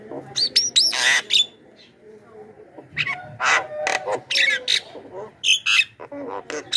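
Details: Javan myna lure calls for pulling wild mynas closer: clusters of explosive harsh screeches and hoarse rasps, punctuated by quick upward whistles, with short pauses between bursts.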